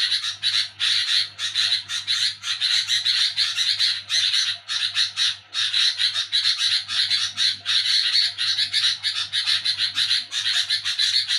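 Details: Night-time sooty-headed bulbul making a loud rasping nyerecet racket, a long run of scratchy chattering bursts that breaks off briefly twice before resuming. A continuous low hum sits in the background.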